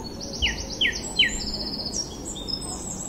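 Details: Bird chirping: three sharp descending chirps about half a second apart, followed by high thin trills and whistles, over steady background noise.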